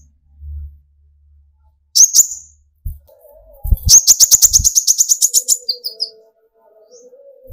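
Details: Sunbird (kolibri ninja) song used as a lure to make other sunbirds sing: one brief high chirp, then a long rapid trill of sharp, very high notes slowing at the end, with faint thin whistles after.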